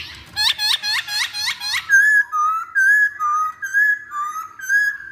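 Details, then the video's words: Chinese hwamei song used as a lure: a rapid series of looping whistled notes, then clear, loud whistled phrases alternating between two pitches, repeated about once a second. "Pancingan Poksay Hongkong Paling Ampuh"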